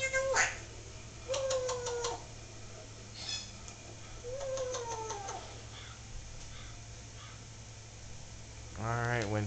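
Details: Captive Solomon Island Eclectus parrot talking indoors: a few spaced, drawn-out harmonic vocal phrases with falling tones, quieter mumbling between, and a louder rising squawk at the end, over a constant low electrical hum.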